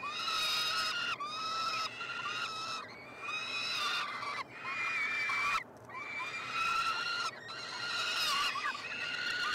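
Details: Peregrine falcon triplets begging as they are fed at a University of Montreal nestbox in Quebec, Canada, 21 June 2022, from a live stream; a series of harsh, buzzy, sustained wails, each one to two seconds long, repeated with brief pauses.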